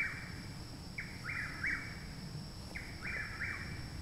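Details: Near a house in Parkersburg, West Virginia, late May 2019, a chuck-will's-widow sings loudly a month after arriving: two full whistled phrases, a short lead note then two swooping notes, against constant background hum.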